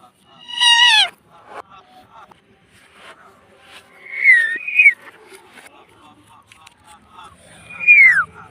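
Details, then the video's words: Talking parrot kept as a pet, said to say "mummy": a loud harsh harmonic call at the start, a softer two-part whistled phrase midway, and a descending squeal near the end. "Talking parrot - Bolne Wala Tota - Mummy Bolne wala tota - pattu parrot talking"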